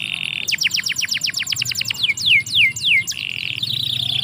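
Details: Canary in a yard: a soft held tone gives way to a fast run of falling whistled notes, three slower descending slides, then a steady high trill.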